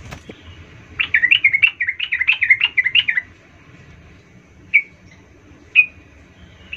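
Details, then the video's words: Yellow-vented bulbul lure sound meant to make other bulbuls agitated: a two-second burst of rapid, bubbly, warbling notes, then two isolated sharp chips about a second apart over soft background noise. "nggak sampai 10 detik trucukmu Bakal ngamuk Naik darah ramai mendengar pancingan trucukan ini"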